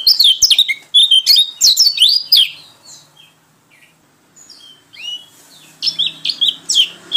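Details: Pleci white-eye from Lombok/NTT in full, lively ngalas-style song: bursts of high, quick, twittering whistled phrases sliding up and down, a quieter pause mid-way, then more bright chirpy notes.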